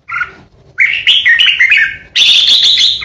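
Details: Ché song of a decoy red-whiskered bulbul: a short two-note chirp, a slurred warbling phrase, then a loud sustained harsh rasp.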